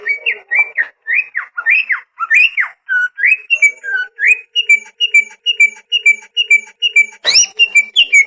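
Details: Greater green leafbird song used as a training master for caged birds that are reluctant to sing or molting: loud whistled notes repeated about once a second, early ones slurred up and down, later ones steady paired whistles, with a sharp burst near the end.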